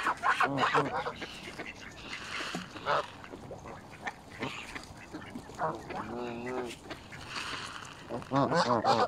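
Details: Feeding mallards mixed with Canada geese at a town pool in Fenton, Stoke on Trent, United Kingdom, 21 November 2021, captured on a mobile phone; loud rasping quacks in bursts, a long wavering call midway, constant background chatter of the flock.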